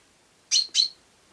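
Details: House sparrow calling: two short, bright chirps about a quarter second apart, each sharp and high, with a quiet background.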